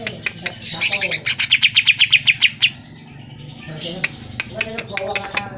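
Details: Greater green leafbird song used to lure caged birds into answering: a rapid, evenly spaced run of bright whistled notes, about four per second, followed by softer twittering and scattered sharp chips.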